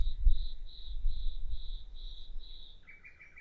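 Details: Common nightingale song: a steady series of clear, high, whistled notes repeated about twice a second, then a short run of lower warbled notes, over a strong low rumble of background noise.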